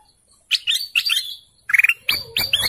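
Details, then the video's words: Golden canary singing in short separated bursts: quick pulsed trills and upward-sweeping whistled chirps, high-pitched, in three groups over a few seconds, with brief silences between. "GOLDEN CANARY BIRDSONG"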